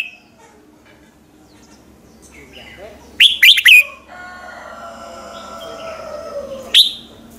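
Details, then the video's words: Red-whiskered bulbul morning song used as a training lure: after quiet, a quick trio of bright, downward-sweeping whistled notes, then faint softer warbling and one final sharp whistle. "luyện giọng chào mào hót buổi sáng, Hót hay nhanh lửa"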